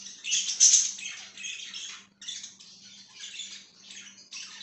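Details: Indoor pet budgie giving continuous raspy chirping and warbling, louder at first, then a brief pause before softer chatter resumes; faint steady hum in the background.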